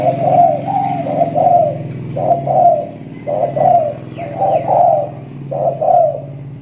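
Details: Recently moulted spotted dove, newly in full voice and acting aggressive, gives a run of mellow mid-pitched coos in groups of two or three, with brief pauses. A few faint higher chirps sound in the background.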